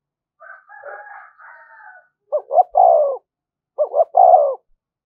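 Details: Spotted dove, thúc gù cooing used to stimulate decoy birds. Soft rambling higher chatter comes first, then two firm phrases of two short notes and a longer falling coo.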